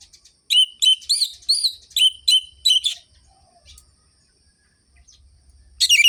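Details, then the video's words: Seven crisp, evenly spaced whistled phrases from an orange-headed thrush, a ngerol-ngeplong style lure for silent birds, followed by a quiet stretch with soft low hum and a sudden high burst at the end. "ANIS MERAH GACOR ABIS untuk pancingan bunyi burung anis merah yang loyo"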